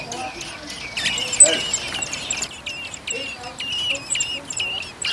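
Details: Eurasian blackbird family with a second brood of four young close to first flight, in a garden on Whit Monday; short high chirps and squeaky calls repeated rapidly, with faint voices low in the background.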